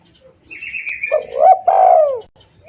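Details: A spotted dove coo used to lure birds: a rising note, then a long, falling, rolling coo. Before it, a thin, high, wavering whistle from another bird is heard.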